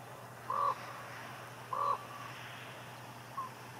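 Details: Common ravens in Juneau, Alaska giving repeated short, harsh croaking calls, two strong ones about a second apart and a fainter third near the end, against a low steady hum.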